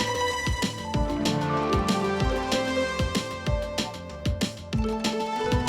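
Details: Background music with steady instrumental tones and rhythmic beats; no animal sound is heard.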